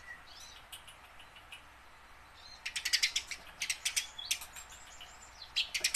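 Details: Tame house sparrow, kept to lure wild or newly caught sparrows into singing, gives bursts of sharp high chirps, quiet at first, then a dense run of loud chirps in the second half with scattered thin whistles.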